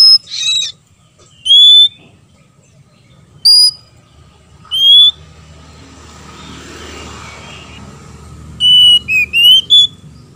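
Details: Male and female Oriental magpie-robins exchanging song. Sparse single whistles early on, a soft hissing background in the middle, then a rapid closing series of clear rising and falling whistles.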